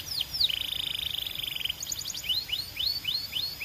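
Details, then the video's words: Belgian canary delivering a couple of falling whistles, a long rapid buzzy trill, a brief burst of staccato chips, then evenly spaced upward slurs. "Impossible If Your Canary Does Not Immediately Sing‼️ Belgian Canary"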